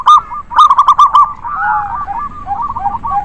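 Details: Several local zebra doves in a busy chorus used to coax lazy doves into song: a burst of loud, sharp staccato notes, then softer rolling, warbled coos from other birds overlapping.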